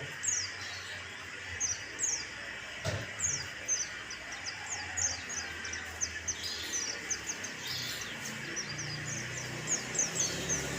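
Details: White-eye song serving as a lure to provoke singing: runs of quick, high chirps and downward-flicking tweets in clustered bursts, nearly continuous, with one dull thump early on and steady background noise.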